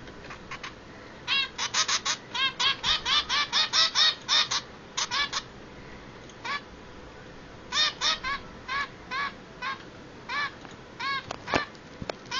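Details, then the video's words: Two hungry baby zebra finch chicks begging, kept as pets: bursts of rapid, harsh, buzzy chirps repeated in quick runs, about two per second, with short pauses and a few sharp clicks near the end. "Bubble & Squeak are hungry (Baby Zebra Finches)"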